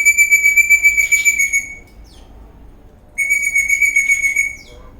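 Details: Eastern rosella parrot, dancing and happy, whistles twice: two sustained, clear, level notes of about one and a half seconds each, separated by a quiet pause.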